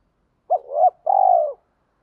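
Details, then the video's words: Spotted dove lure bird cooing to provoke singing: a brief hooked note sliding into a rising hum, then a long steady rolled purr, close and clean. "cu gáy kích boi hiệu qus/ tiếng chim cu mồi gáy sung, tiếng thúc + hay gọi"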